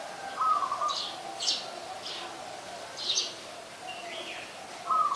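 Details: Streak-eared Bulbul, a very common resident, at Ubon Ratchathani, Thailand, on 2 January 2021: short, harsh, high chirping notes in scattered bursts, with a clearer mid-pitched piping phrase near the start and end, against a steady background hum.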